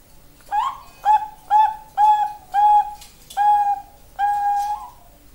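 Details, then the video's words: Zebra dove of the Bangkok type giving a tired-sounding song: six clear, steady coo notes at the same pitch, each under a second long, spaced at roughly half-second gaps, the last one slightly longer and trailing off. "perkutut bangkok suara lelah"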